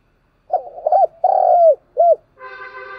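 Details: Spotted dove lure bird calling to stir up wild doves: a soft, hollow cooing phrase of several low notes, one long drawn coo, then a short final coo, followed by a steady harmonic tonal hum.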